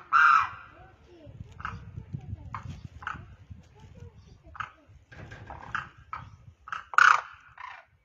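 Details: One Demoiselle crane, known locally as koonj or karkara, calls from the ground to others flying overhead: loud, harsh trumpeting notes at the start and near the end, with softer repeated calls about every second in between, over low rumbling background noise.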